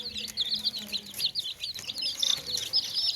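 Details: Baby chicks kept in a tokri basket keep up a steady stream of shrill, high cheeps, rapid and overlapping, rising and falling in short slurred notes, with little else behind them.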